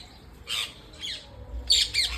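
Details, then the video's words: Parrots at home, four short harsh squawks spaced apart, first and last pair loudest, with quiet low background hum between calls. "Bird's Singing"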